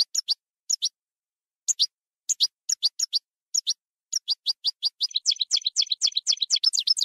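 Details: European goldfinch singing in the campero (field) style: paired and tripled high tweets spaced by short gaps, then quickening into a continuous, jangling twitter over the final two seconds.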